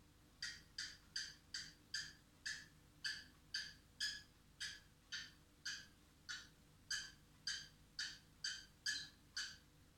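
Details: A young male white-faced cockatiel in his cage sings a little song learned from a telephone ringtone: a steady run of bright, harsh chirps, about two every second.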